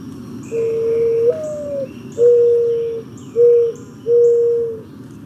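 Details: Male Mourning Dove cooing in the morning, a call often mistaken for an owl's, chest puffing out while calling: a low, soft, hooting coo that slides up then eases down, followed by three steady level coos, with faint chirps of small birds above.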